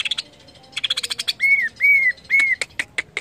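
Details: Greater green leafbird song meant to get other leafbirds singing: quick chirp series, then three clear arched whistles, followed by scattered sharp chips.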